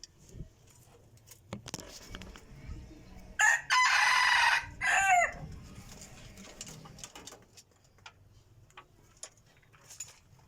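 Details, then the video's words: Crowing decoy rooster, described as crowing very well: a loud, strained cock-a-doodle-doo lasting about two seconds in the middle, with a drawn-out central note and a falling close, amid quiet surroundings. "qaib dib qua zoo heev li"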